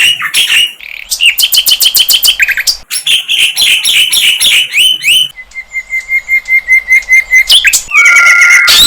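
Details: In the wild, a flycatcher sings bursts of rapid sharp chips and slurred whistles, then a row of soft, evenly repeated high notes, closing on a long, steady whistled tone.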